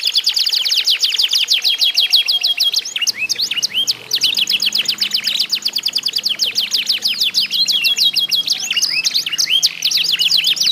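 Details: Canaries competing in song, played to stimulate other canaries: long runs of rapid falling notes and trills, several birds overlapping continuously, with a soft low hum in the background from about three seconds.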